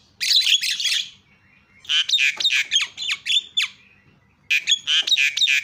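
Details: Javan myna screams played to provoke other mynas into calling: bursts of harsh, grating squawks interspersed with short sharp whistles, in three loud groups separated by brief pauses.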